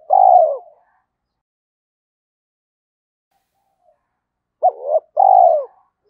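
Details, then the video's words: Cooing spotted dove meant to draw wild birds in quickly; a long, mellow, down-sloping coo at the start, then silence, then a paired short hooked note and a long falling coo. "tiếng cu gáy thúc rút bổi nghe nhanh về cội/ cu gay kich boi nhanh noi gù"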